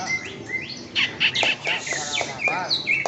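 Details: Greater green leafbird singing at a bird singing contest, a steady trophy-winning bird kept on a standard setup; a quick run of varied sharp chirps and short whistled slurs, about four notes per second, with faint background chatter.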